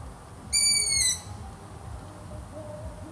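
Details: Long-eared owl giving one high, squeaky, slightly falling screech of about half a second, rich and harsh in tone, followed by quiet low background hiss.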